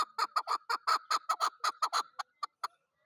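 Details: Loud, clucking chuk-chuk series from a chukar partridge, called chakor, about a dozen hoarse notes in quick succession, spacing out and thinning over the last few.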